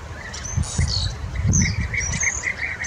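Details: European bee-eaters at a nesting wall in Burgenland, Austria, in 2023, shared with many starlings: short, rolling, liquid notes repeated in quick series, with higher thin calls overhead and a low wind-like rumble underneath.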